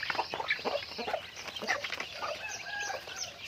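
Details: Chickens active through the day give rapid clucks and short squawks early, then a few drawn-out calls fading into flock chatter.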